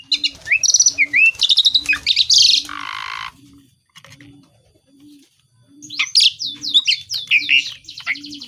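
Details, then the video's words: Asian pied starling singing imitations of village birds: fast squeaky whistles and chatter, a harsh rasping burst, near silence, then a new run of varied looping whistled notes, while a soft low coo repeats regularly in the background. "JALAK SUREN GACOR BESETAN ISIAN🔖BURUNG SEKAMPUNG JADI BUNYI"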